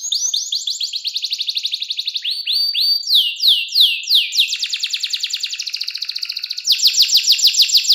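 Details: Clear, richly varied canary song offered as a master recording for young canaries learning to sing: fast trills of sharp descending notes shift through several tempos and pitches, ending in a quick repeated high rattle.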